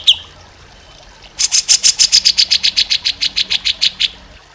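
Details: Grey-cheeked bulbul (cucak jenggot) master recording used to train other songbirds: a single high chirp, a pause, then a fast train of about twenty sharp, even notes, with faint low background hum.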